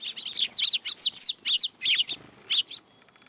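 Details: Sparrows flying onto a person's hand to take food at a Tenmangu shrine, Japan, 9 April 2023; a quick run of about ten bright, high chirps in an uneven rhythm, fading into quiet at the end.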